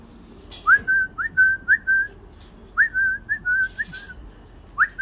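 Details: Captive chattering lory (Lorius garrulus) gives clear, mid-pitched whistled phrases of four or five quick slurred notes, repeated roughly every two seconds, with faint rustling behind.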